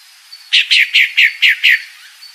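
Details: Calling female pale-breasted thrush gives a single run of six rasping, downward-slurred notes delivered evenly and fast, with quiet background.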